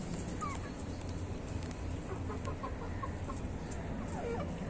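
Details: Local desi chickens kept in a small flock on a rooftop: a few short, soft clucks come in quick scattered bursts, with a lower drawn-out note near the end, over a steady heavy low rumble.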